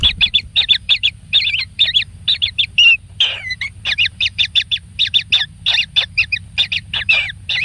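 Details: A kingfisher chick, the only one, fed plenty of food, gives rapid rhythmic pairs of scratchy high chips. A drawn-out, downward-sliding rasp breaks the series midway.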